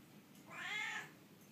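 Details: A Triton cockatoo, happy and excited just after a shower, gives one drawn-out, nasal, rising-then-falling call that sounds almost like a meow, lasting about half a second, in a quiet room.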